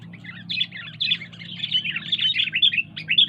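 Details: Sooty-headed bulbul chattering almost without pause, a dense run of quick tumbling chirps and bright whistled accents, backed by a low droning hum.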